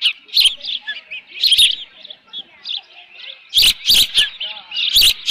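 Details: Osprey at the nest with left over fish, 13 June 2018, late morning; shrill chirps come in clustered bursts, louder toward the end, mixed with sharp cracking clicks.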